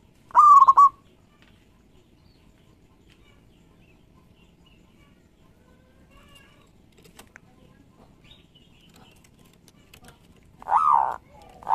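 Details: Lively local zebra dove used as a lure for other doves: a stuttered rolling coo phrase opens, then quiet, then a louder, rougher pair of coo phrases at the end.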